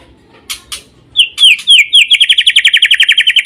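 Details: White-rumped shama giving two soft clicks, then a rapid, regular series of bright whistled notes, repeated steadily about four times a second until the end.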